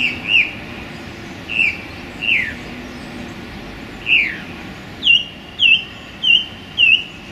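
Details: Male song thrush in song in a small London park on a sunny January day: clear whistled phrases, first spaced and sliding downward, then four quick repeated U-shaped notes at a steady pace; faint background hum.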